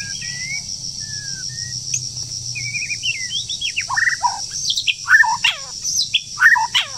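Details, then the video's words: In breeding season, a wild forest bird in moult starts with thin high whistles, then breaks into loud sharp chirps and tumbling notes, with a continuous insect drone in the background. "Chim Rừng Đang Thay Lông Mà Chíên Quá • Dợt Chim Mùa Sinh Sản"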